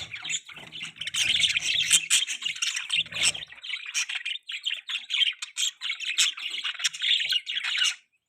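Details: Young budgie held on a hand keeps up a long, buzzy warble of squeaky chirps and harsh twitters, with faint low handling noise early on.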